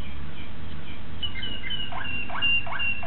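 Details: Young Malinois Waterslager canary, 2009, singing a few thin whistles followed by three or four deeper rising slurs, with low background noise.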